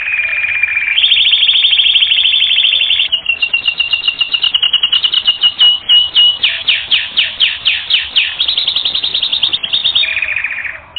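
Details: Canary song for training: sustained trilled rolls switching between tours, a slower pulsed section of repeated notes about three to four per second, ending in a fast buzzy trill.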